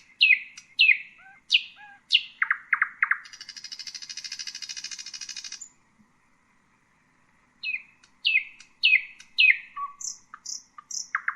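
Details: Extended common nightingale song: a series of loud downslurred notes, a long high buzzy rattle, a pause, then more descending notes, high whistles and low notes.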